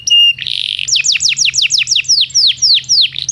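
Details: Belgian canary, a song for training canaries that do not sing: a pure whistle and a buzzy note open a long regular roll of falling sweeps, about four per second, over a low steady hum.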